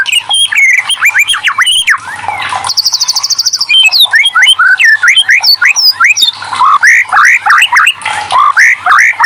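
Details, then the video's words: White-rumped shama song played to stir idle shamas into singing: dense varied chatter of whistles and squeaks, with a fast high buzzy trill near the middle, then quick rising and falling phrases. "TERAPI MURAI BATUterampuh burung macet langsung gacor"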